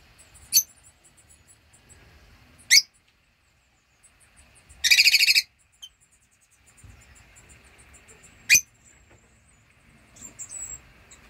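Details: Rosy-faced lovebirds, a pair with four 8-week-old young, in 2024, give a few sharp, shrill single chirps spaced seconds apart and one harsh, buzzy half-second screech, with quiet rustling between.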